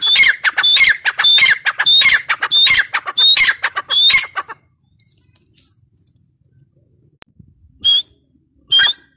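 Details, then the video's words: Grey partridge, called teetar, giving a rapid series of loud screechy calls, each with a short rising whistle and harsh lower notes, for about four seconds, then quiet with two isolated single calls near the end. "Teetar ki awaz | irani teetar voice | gray partridge voice | tetar sound"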